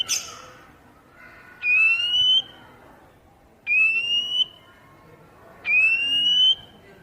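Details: Oriental magpie-robin whistles played so newly caught cage birds respond and start singing: three long, pure, gently rising whistled notes, each lasting close to a second, spaced about two seconds apart, with a brief harsh note at the start.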